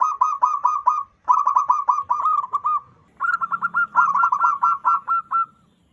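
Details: Loud wild local zebra dove call used as a trapping lure: long runs of rapid, bubbling cooing notes in steady series, several bursts back to back with only short breaks.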